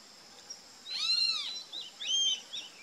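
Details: Rufous-tailed jacamar gives two loud, high, arched whistled notes about a second apart. The second note is shorter and sharper, over a faint hiss of background noise.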